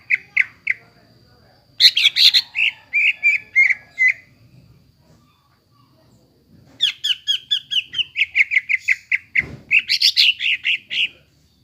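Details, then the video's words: Greater green leafbird singing to stir a bird that has gone silent: a few opening chirps, a varied rich phrase, a pause, then a long energetic string of quick chirped and whistled notes rising near the close. "PANCINGAN BURUNG CUCAK IJO YANG MALES BUNYI,MACET BUNYI AGAR GACOR KEMBALI"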